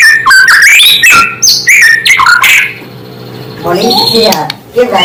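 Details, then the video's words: White-rumped shama singing to rile up other shamas: a quick tumble of varied whistled and warbled notes, then softer low chattering sounds near the end. "Suara asli murai membuat murai lain langsung emosi"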